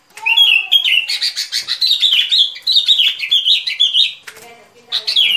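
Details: Sooty-headed bulbul song used as a trapping lure: a continuous run of short, bright, slurred phrases, each dropping in pitch, with loud, rapid bursts that pause briefly near the end before a final phrase.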